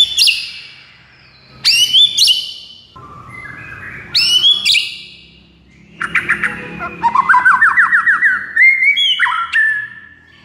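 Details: White-rumped shama song used to rouse a silent shama into singing: sharp upswept whistles with high overtones, a lower buzzy note, then a rapid rising-stepped run of chattering notes ending in clear whistled phrases.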